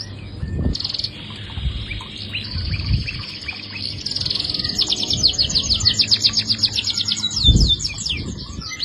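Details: Caged canary singing, used to prompt a quiet canary into song: high thin trills and rapid repeated twittering notes building into fast rolling phrases, with low thumps and background noise.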